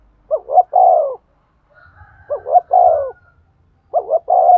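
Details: Spotted dove cooing in the thúc gù, kích bổi style meant to stimulate a male: three low, hollow phrases, each two short rising notes then a long drawn-out coo, repeated about every two seconds against a quiet background.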